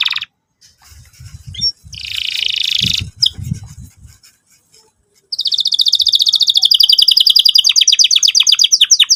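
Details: Canary lure song intended for young canaries learning to sing: scratchy noisy bursts and low thumps open the recording, then a long, fast, high trill of rapidly repeated notes fills the second half.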